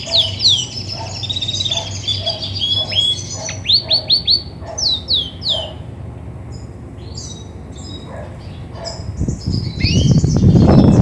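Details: Female Belgian canary, grey and white, ready to brood, delivers fast high downslurred notes and short trills that fade, followed by a burst of rustling noise at the end.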